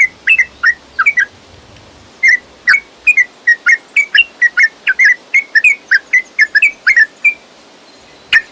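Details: Yellow-vented bulbul song used as a lure for caged birds: bright bubbly whistled phrases in short clusters, a brief pause, then a steady run of quick warbled notes.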